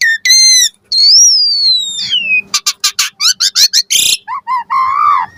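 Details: Asian pied starling lure song packed with varied fill-in phrases: long clear whistles sliding downward, then a fast series of loud chopped whistled notes, a harsh rasp, and low warbled ending notes.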